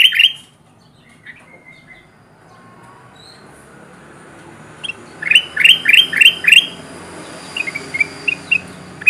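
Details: Gacor kutilang emas bulbul lure call used to bring wild birds to traps: one opening chirp, a long quiet stretch, then a rapid series of five rising notes trailing into softer chips.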